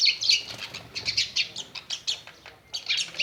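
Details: An Indian myna at a home, chirping while watching a mirror, gives harsh, scratchy chirps and chatters in quick uneven bursts, high-pitched and grating, with brief pauses between runs.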